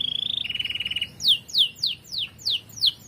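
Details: Singing canary, a tutor recording for pet birds: a quick pulsed trill that steps down in pitch partway through, followed by about six sharp, descending whistled slurs spaced roughly every third of a second.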